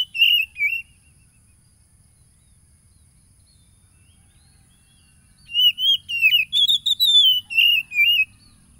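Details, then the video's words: Oriental magpie-robin song recorded by phone on 30 July 2022 in Tulus Rejo, Pekalongan, East Lampung, Indonesia, meant to stir a caged bird to sing. A short whistled phrase, about four seconds of silence, then a longer run of rising and falling whistles. "PANCINGAN SUARA KACER AGAR EMOSI"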